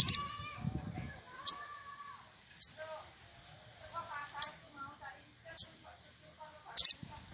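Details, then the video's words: Wild woodpecker calling for a rival in an excited state: a series of piercing high notes about once a second, with low murmuring voices and soft warbles behind. "Sogon emosi cari lawan"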